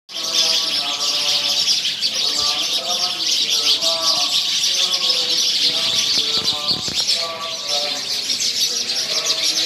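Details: A flock of sparrows chirps continuously in a dense chatter of high, sharp notes while a man recites scripture (a Sikh path reading) steadily underneath.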